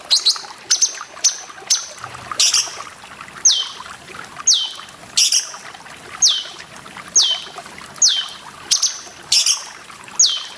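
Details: Grey-cheeked bulbul master song over running water: a steady run of high whistled notes, many sliding sharply downward, repeated roughly every second for ten seconds amid splashes.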